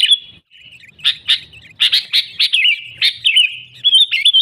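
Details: Sooty-headed bulbul song for luring wild bulbuls: a high whistled opening, then spaced bubbly chirps and wavering, slurred whistles.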